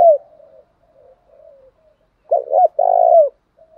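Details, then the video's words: Spotted dove coo used as a lure to provoke rival doves into fighting: one loud phrase of two short rounded notes then a longer throaty coo falling at its end, preceded by faint soft cooing. "Tiếng chim cu gáy kích bổi nhanh nổi, hiệu quả nhất hiện nay, chim cu đất thúc đấu vấy bổi"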